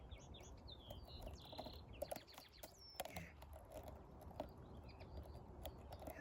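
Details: Common linnet heard in the background at a linnet nest holding large chicks nearly ready to fledge, giving quick, high twittering notes, busiest in the first two seconds, over steady outdoor noise with a few faint low sounds.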